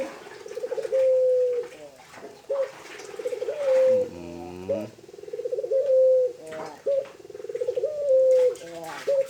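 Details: Barbary dove (puter kreen), a tame bird, repeating its coo roughly every two seconds: pulsed rolling notes flowing into a long steady whistle-like tone, with short abrupt notes and one broad harsher burst midway.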